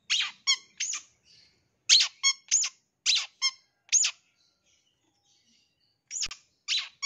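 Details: Long-tailed shrike lure sound, full of mimicry, used to prompt young wild-caught birds to respond; rapid clusters of scratchy, buzzy notes mixed with short ringing tones, then a pause of two seconds before a few more rasps.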